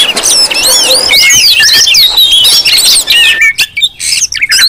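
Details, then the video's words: Noisy Oriental magpie-robin chorus used as a lure to provoke magpie-robins: packed, wavering whistled phrases and chirps for three seconds, then sparser broken notes with short silences. "Suara Kacer ribut Rame Banget sangat cocok buat pancingan"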